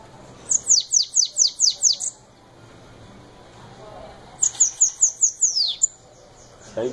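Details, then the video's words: Bananaquit, locally called sibite, in 'belga' style song: two bursts of seven to eight rapid, high descending notes, separated by a pause of about two seconds. A soft background hum runs throughout. "Sibite batendo belga original"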